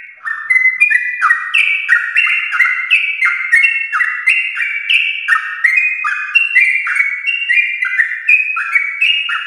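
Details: Yellow-vented bulbul, prize lineage, delivering a long continuous rapid song to prompt pet birds into singing: rich bubbling whistles jumping up and down, many notes per second throughout.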